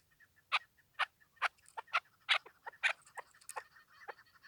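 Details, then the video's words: A chukar partridge, possibly female, gives loud, harsh clucking notes, about two per second, quickening into a stuttering run toward the end, with laughter nearby. "chakor birds voice awaz sound keklik sesi"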